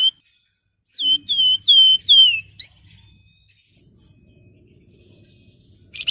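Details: Flamboyan singing a series of clear, slightly descending whistled notes, a few sharp harmonics above, then a short upward-flicked note, used as a master recording and lure to coax other flamboyan birds to sing.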